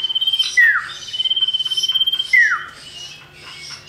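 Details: Male and female common iora in song, used as a lure to get other birds singing: a long, level, rapid trill with two loud whistles that slur sharply downward, repeated about every two seconds.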